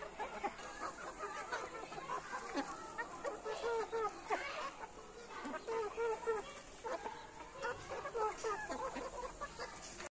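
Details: Red junglefowl, called a wild chicken, giving rapid series of short, harmonic clucking notes in irregular bursts, several per second, with brief louder rising calls between them; faint human voices and background hiss underneath.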